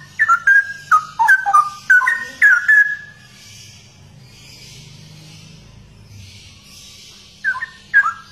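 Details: Cucak rowo, the straw-headed bulbul, prized for its distinctive song, gives a quick series of rich, warbling whistled notes for about three seconds, then falls silent before two brief whistled phrases return near the end.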